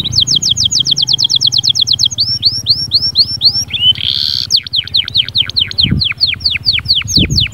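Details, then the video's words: Canary song of repeated downslurred whistles in fast series, changing to curved notes and a buzzy burst, with a low background hum and occasional thumps. "اياك وتقول عصفوري الكناري ساكت أدخل عليه البهجة بالمقطع الاكثر تحفيز نار نارcanary"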